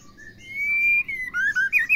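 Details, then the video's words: Female white-rumped shama calling to spur males into singing: a long, clear whistle held steady and slightly rising, then a rapid run of short, bending whistled notes, some dipping and others climbing. "MURAI BATU BETINA PEMACU GACOR | SEMUA MURAI BATU LANGSUNG NYAUT GACOR"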